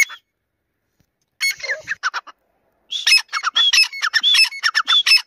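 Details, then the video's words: Grey francolin, Dakni or Irani teetar voice type: a short harsh burst, a pause, then rapid grating notes mixed with bright upslurred whistles repeated about once a second. "Dakni vs Irani Teetar Part 2 | Tetar voice Compilation"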